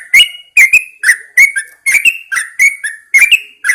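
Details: Morning song of a caged Yellow-vented Bulbul hung outside at first light: steady bubbly phrases of clicky, slurred whistled notes, paired and repeated briskly without break.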